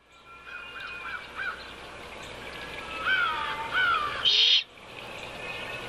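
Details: At a nest on 6 February 2015, a female great horned owl gives a loud, harsh, raspy squawk, a call soliciting the male to bring food, after a few softer, falling whistled notes and a faint earlier series of short calls.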